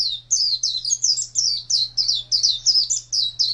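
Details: Pet white-eye (pleci), a contest bird, chirping energetically in 2017: bright, high, downward-sweeping notes repeated quickly and a little irregularly, nearly three per second, over a faint constant low hum.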